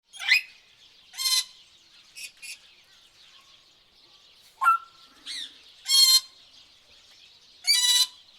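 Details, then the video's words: Several tropical birds give short, bright chirps and squeaky bursts every second or two, some harsh and buzzy, over a steady high hiss of insects. "tropical bird sounds"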